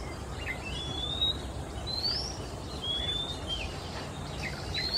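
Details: Male Oriental Magpie-robin, Singapore, singing in the afternoon while moving perch to perch. A run of high, thin whistles sliding upward, several within a few seconds, over constant background noise.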